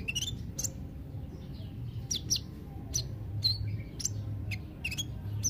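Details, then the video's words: Olive-backed sunbird, locally called kolibri ninja, used to stimulate quiet birds: rapid, high, squeaky chips and short descending slurs in loose bursts, with a faint low hum underneath. "Terapi kolibri ninja (konin ) yg males bunyi"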